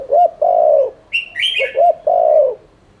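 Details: Spotted dove in 'thúc liên thanh' style, used as a lure to stimulate cooing. Two low coo phrases, each short notes and a drawn-out hoarse note, separated by a burst of high chirping from another bird.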